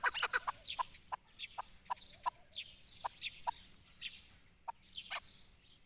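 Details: Chukar partridge, Pakistan's national bird, giving sharp, separate clucking notes with short gaps, some doubled, spaced irregularly over several seconds against a quiet background.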